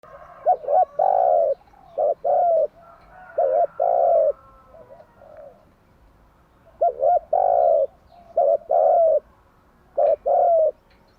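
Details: Spotted dove morning song, played to train young doves to coo: low cooing phrases, each a short double note and then a long hoarse coo, three phrases with a quiet gap in the middle.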